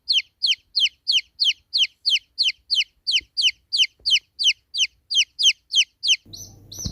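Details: Baby chicks give regular high, falling peeps roughly three times a second, ending in a short burst of broadband noise.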